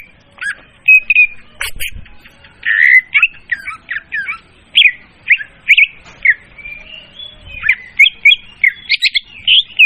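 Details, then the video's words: Leafbird lure call for trapping, described as clear and loud: a rapid run of varied chirps, short whistles and squeaky notes, phrases repeating with brief gaps, fairly high-pitched, with no other clear sounds. "suara pemikat burung murai daun||suara jernih dan volume keras."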